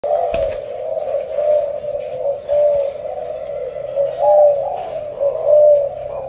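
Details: Spotted dove from a breeding pair, recorded 19 January 2024. Soft low coos rise out of a steady droning tone, coming in short swells about once a second.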